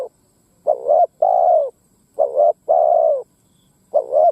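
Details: Ground lure spotted dove calling to incite wild doves to fight; paired coos, a short wavering note then a long steady falling one, given in three phrases in quick succession.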